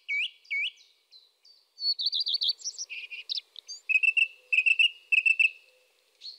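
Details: Eurasian tree sparrow chattering: two upswept whistled notes, then a busy burst of mixed chirps and a steady series of short, sharp, repeated chip notes.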